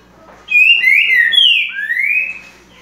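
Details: Green-winged saltator singing a run of clear, loud whistles: slurred notes that fall, then a longer rising whistle, lasting about two seconds before it fades into a quiet background.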